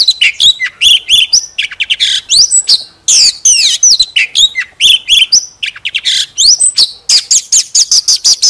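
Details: Decoy Oriental magpie-robin singing as it fans its tail: loud, varied song of rapid chips, slurred whistles and scratchy buzzes, delivered in quick continuous phrases with only brief breaks.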